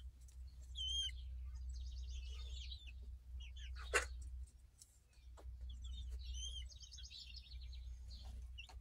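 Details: Two young chicks of unknown breed, hatched 5.3.2023 and recorded July 24, 2023: soft high peeps and quick trilled chirps in two short bouts, over a steady low hum.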